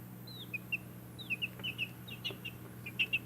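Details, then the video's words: Several baby backyard chickens chirping, scattered short high peeps, some sliding down, irregularly spaced and moderately soft, with clicks and a steady low hum behind them. "Baby Chicks Chirping Sounds"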